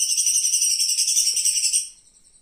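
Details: Live flowerpecker used as a master recording for teaching cage birds, giving a continuous, very high, buzzy trill for about two seconds before it fades into a thin, quiet tone.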